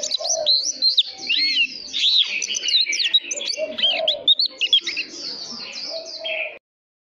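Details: An oriental magpie-robin pours out a lively training song for young birds: loud, continuous whistled warbling with quick rising and falling slurs and brief trills, stopping abruptly after six and a half seconds.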